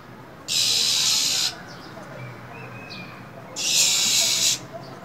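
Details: Harsh rasping hisses from a female than songbird in freezing winter weather, calling to excite a male: two loud one-second hissing bursts separated by a quiet gap with faint thin notes.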